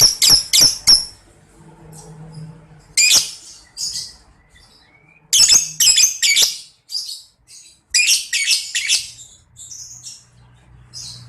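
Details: Lovebird chatter, used as training sound for young contest birds: short bursts of shrill, scratchy chirps separated by quiet gaps, some bursts quick triplets, others clustered, with faint softer squeaks between.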